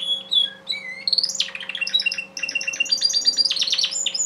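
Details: Male Timbrado canary from a breeder's line singing: opening with clear separate whistled notes, then a sweeping rise into dense rapid trills and chattering repeated phrases, with a low steady hum behind.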